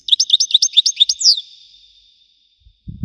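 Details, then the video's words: Wedani-style European goldfinch song, a rapid string of high, liquid chirps that ends in a sharp descending whistle and a drawn-out buzz, with a faint low thump at the very end. "حسون ويداني حصري صوت مزلزل"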